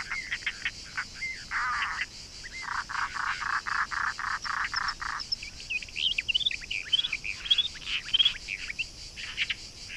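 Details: European roller from a pair occupying a nest box near the Shirvan National Park office in Azerbaijan, May–June 2013: a series of harsh, grating rak notes in quick runs over five seconds, then thinner chirps and twitters from other birds.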